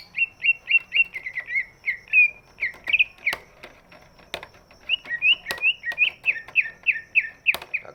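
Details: Big greater green leafbird singing to stimulate reluctant birds: a chain of repeated slurred whistles, a pause marked by loud clicks and knocks, then another brisk run of looping whistled notes.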